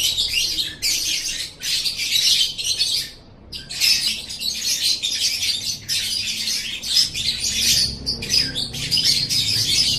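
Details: Training recording of lovebird song: long stretches of fast, gritty, high-pitched chatter broken by one short silence near the middle, the bird's scratchy twitters packed tightly together.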